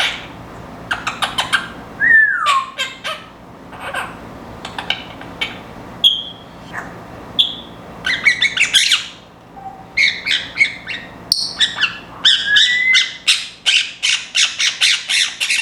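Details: Timneh African grey parrot, a timid former breeder bird, kept indoors on a window perch with Quaker parrots nearby, beginning to mimic noises as it settles in; bursts of harsh squawks, a slurred whistle, short pure whistled notes, then rapid chattering squawks.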